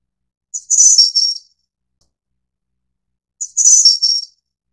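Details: Snowy-browed flycatcher, subspecies Ficedula hyperythra innexa endemic to Taiwan, giving two identical high-pitched, sizzling, slightly warbled phrases spaced nearly three seconds apart in otherwise complete quiet.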